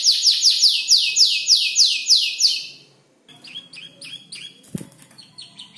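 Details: Five-month-old canary learning songs from tutor birds: loud rapid run of descending notes, brief quiet, then softer repeated chirps and a single click.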